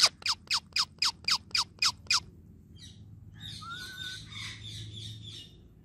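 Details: Indian ringneck parakeet kept as a talking pet: eight sharp, evenly spaced clicking notes about every quarter second, a pause, then softer buzzy chatter with a short level whistle.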